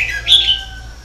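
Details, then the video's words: Red-whiskered bulbul singing continuously: one short, bright phrase with a warbled note that rises to a sharp peak, then fades. A steady low electrical hum runs underneath. "CHÀO MÀO HÓT LIÊN TỤC"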